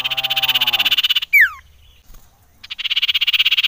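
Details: Common iora, described as a female calling in the wild and used as a lure to excite other ioras: a fast, buzzy, pulsed trill about thirteen beats a second, broken by one sharp, falling whistle and a short pause before the trill resumes.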